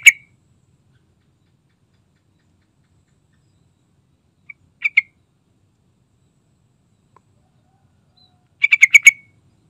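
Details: Sooty-headed bulbul singing vigorously, used as a lure to prompt other bulbuls to sing: a sharp single note, a brief double note midway, then a rapid bubbly run of about six chattering notes at the end, with silence between.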